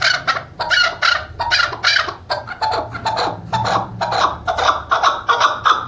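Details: Female chukar partridge, a call used by hunters, giving rapid rhythmic clucking notes about three per second in a steady, pulsing series with no pause.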